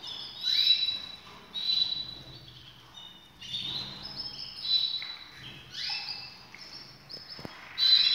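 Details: Canaries said to be ready for breeding give repeated bursts of high chirping and trilled phrases, overlapping voices rising and falling every second or two, over light background noise.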